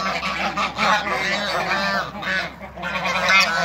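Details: Domestic African and Toulouse geese in a backyard, several birds honking at once: loud nasal honks with repeated harsh cackling notes, rising and falling in bursts over a short stretch.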